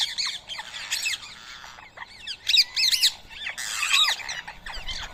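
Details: Rose-ringed parakeets gathered to eat soaked boiled rice at a morning feeding spot in Coimbatore, India, 7 AM on 31 March 2024; harsh, screechy squawks overlap in quick bursts from several birds, dense and continuous.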